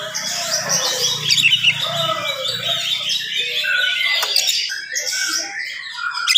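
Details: Morning song of an oriental magpie-robin, delivered rapidly to rile rival magpie-robins; a dense run of high chirps, slurred whistles and short trills with a faint low hum underneath.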